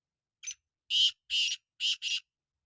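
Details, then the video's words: Black francolin (kala teetar) calling: a short harsh note, then four loud grating, buzzy notes in two close pairs, the whole phrase about two seconds long, on a silent background. "Kala Teetar Awaz"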